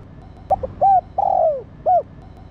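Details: Female spotted dove stimulating a male with its call: two brief notes leading into an arched coo, a long falling coo, then one more short curved coo, mellow against faint background noise.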